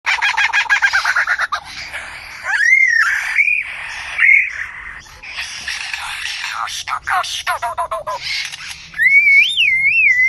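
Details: A bird in a zoo, described as a rare talking bird, runs through rapid rattling notes, then loud wavering whistles that swoop up and down, broken by squawks and chatter with a talking-like quality.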